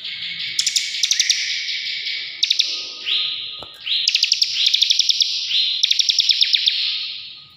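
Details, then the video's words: Bar-winged prinia singing strongly, used as a lure or tutor recording: loud, high, buzzy notes laced with rapid ticking bursts, repeated in quick runs every second or so, over a faint hum. "CIBLEK NGEBREN GACOR"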